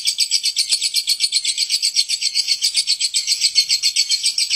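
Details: Long, harsh lovebird ngekek. A steady, rasping, very high chatter of regular pulses, about four per second, fills the whole stretch with no pauses or other sounds.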